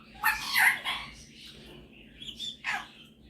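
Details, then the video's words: Pet male superb parrot showing off singing and mimicking indoors; a loud raspy burst with a bright warble, then a pause and softer scratchy notes ending in a short squawk. "Superb Parrot Malibu showing off his singing and mimicking skills"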